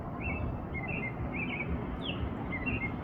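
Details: Spring evening song of an American robin, Minnesota, USA, April; soft, slightly fainter whistled phrases of two or three notes follow one another quickly, set against continuous low environmental noise.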